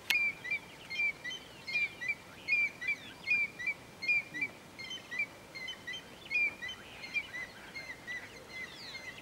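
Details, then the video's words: A male African Grey Hornbill (Lophoceros n. nasutus) sings at Bilen Lodge, Ethiopia, on 9 January 2015: a long series of thin, plaintive whistled notes, about two per second, with faint chirps of other birds behind. "African Grey Hornbill, Lophoceros n. nasutus, singing male"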